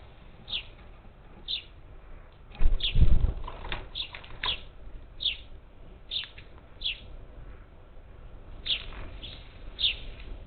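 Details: Parakeets at a Houston-area feeder in Texas, 27 July 2021, as many as ten birds; repeated sharp high chirps throughout, interrupted by a loud burst of wing flapping around the three-second mark.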